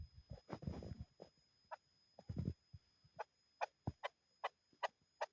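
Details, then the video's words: Chukar partridge calling, a series of short, clipped clucking notes repeated roughly every half second through the second half, preceded by low thumping and rustling handling noise. "chakor sounds"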